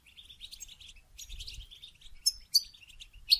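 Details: Goldfinch song used to encourage mating: soft, fast high twitter with three sharper, ringing notes standing out near the end.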